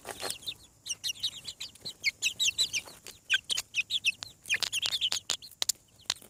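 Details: Many freshly hatching farm chicks peep together in a dense, rapid stream of high, piercing chirps, punctuated by crisp tapping clicks.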